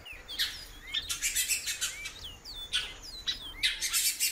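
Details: Female great-billed seed-finch in bird-keeping care, calling repeatedly. Short, curved whistled notes sound over bursts of harsh chirping, about two or three notes per second.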